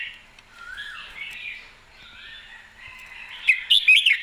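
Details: Red-whiskered bulbul: a long stretch of soft, hazy whistling and gentle slurred notes, then a sudden burst of loud, bright chirpy phrases in the final second.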